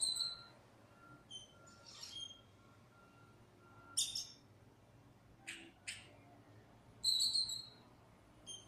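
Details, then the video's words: Lost black bird calling with thin, high whistled notes and short rasping squawks spread over several seconds, with quiet gaps between them and a soft steady beeping tone behind. "Lost Black Bird making amazing sounds"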